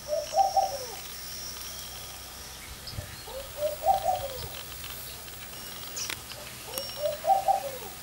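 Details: A Laughing Dove sitting in a garden porch in early morning gives three soft, bubbling coo phrases, each rising then falling, roughly every three seconds, over a faint outdoor background.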